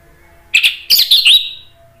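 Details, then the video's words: Orange-headed thrush singing to provoke other thrushes into answering: a short scratchy note, then a rich, warbling phrase that ends in a drawn-out fading whistle, all within about one second. "ANIS MERAH GACOR MATERI PEDES bikin NYAUT NGEPLONG ¦ PANCINGAN AM"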